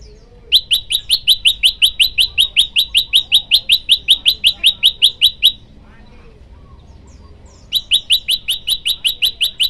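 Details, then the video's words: Male olive-backed tailorbird calling a female with a long, fast train of identical sharp high notes, about four per second for five seconds, a brief pause, then the same rapid chirping resumes. "burung prenjak lumut jantan gacor manggil betina"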